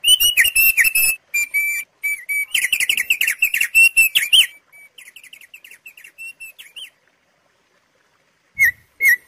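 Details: Thick-billed white-eye, a songbird endemic to Sumbawa and Flores, recorded to lure and train caged birds: rapid bursts of bright, clear whistled chirps and trills, a short pause, then faster fluttering notes fading away, and two final sharp notes.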